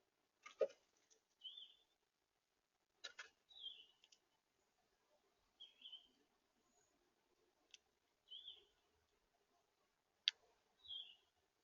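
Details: Red house finch in central Florida: short, bright chirped notes, each slightly slurred, repeated about every two and a half seconds, with sharp clicks and taps between them in an otherwise quiet setting.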